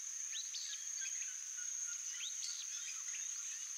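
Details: Free-living Black-throated saltator (Saltatricula atricollis) in the Cerrado biome sings short bursts of quick, sliding whistled notes, two phrases about two seconds apart, over a steady high insect drone.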